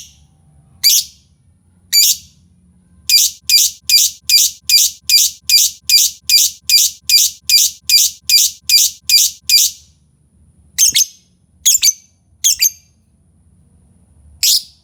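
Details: Lovebird sound used to prompt other lovebirds to sing: a rapid run of about twenty sharp, shrill chirps, evenly spaced, then a pause and a few scattered chirps, over a faint low hum.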